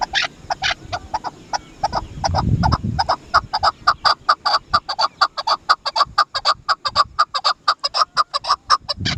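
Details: Dasi chakor, the Chukar partridge, delivering a long fast volley of clipped chuk-chuk notes that grows steadier and louder, with a brief low rumbling noise early on.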